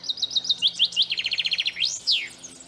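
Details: Common chaffinch sings its typical song, a brisk, descending run of bright chipping notes that speeds into a rattle and ends in a loud, swooping terminal flourish; much shorter than a wren's song.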